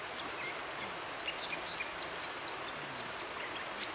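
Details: Dipper song from a Dovedale river in October, Britain: sparse high whistles, brief slurred notes and a few scratchy flicks, partly masked by the loud steady roar of flowing water.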